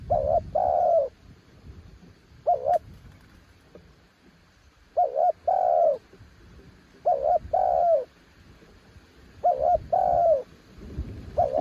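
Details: Spotted dove, said to be a mountain bird, repeating its low mellow song: stuttering double coos each followed by a long, slightly falling note. Five phrases spaced about two and a half seconds apart, with a faint click.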